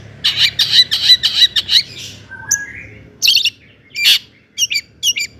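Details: Lively song of a long-tailed shrike, used to rouse other shrikes. A quick run of about seven chattering notes gives way to slurred whistles and harsh bursts.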